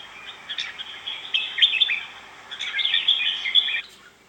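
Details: Red-whiskered bulbul pouring out continuous, rapid warbled whistles in two dense bursts, with a faint hiss beneath.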